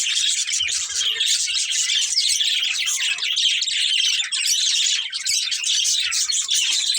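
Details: Breeding pair of budgerigars giving a constant stream of busy, raspy twittering and chattering, high and dense without pauses, forming an unbroken wall of chirps.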